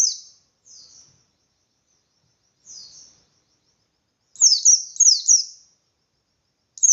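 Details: White-eye song in the ngalas style, intended to goad other white-eyes into fighting: a few soft, high thin notes spaced out, then a loud cluster of sharp downslurred chirps.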